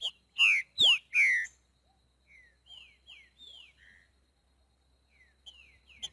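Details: Green-winged saltator singing in the wild in the boiadeiro song style: a loud phrase of four clear, slurred, downward-sweeping whistles, then softer, more distant whistled notes with long gaps between them.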